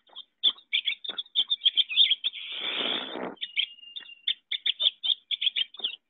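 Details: Pine Siskin (Spinus pinus) song in Central Wisconsin: a quick, high twittering jumble broken by a harsh rising buzz like a zipper going up, then one thin drawn-out whistle.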